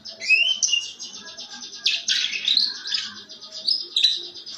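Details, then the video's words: Canary singing a rough ngeriwik, or riwikan, style of song used as a lure to prompt other canaries to sing: continuous high, dense twittering with rising whistled slurs and rapid buzzy trills, louder bursts near two and four seconds. "kenari ngeriwik kasar buat pancingan"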